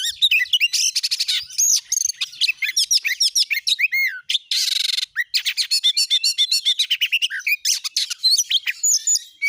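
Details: Oriental magpie-robin song used as a lure to get a kept bird singing: a dense, rapid run of high whistled and buzzy notes, chirps and sweeping slurs, with a rasping burst near four seconds.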